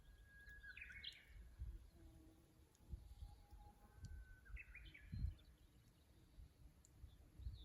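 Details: Japanese bush warbler singing near the Kusu tank road in Japan, recorded by a fixed camera on 24 April 2025; two songs, each a steady whistled note followed by a quick rising flourish, over low rumbling background noise.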